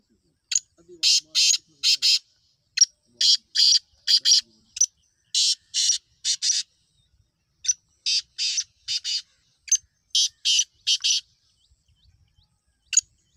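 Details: Black francolin, or kala teetar: harsh, rasping, broadband notes delivered in rhythmic bursts of three to four, phrases separated by short silent gaps, with a final lone note after a pause.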